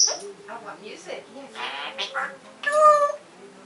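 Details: African grey parrot giving a run of varied, speech-like chattering notes and squawks, ending in a loud, harmonic whistled call that rises briefly and then holds.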